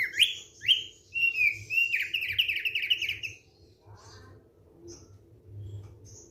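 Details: Thick-billed white-eye singing in a relaxed manner: a fast run of bright chirps and falling whistled slurs for about three seconds, then near quiet with a few faint, scattered notes and a low background hum.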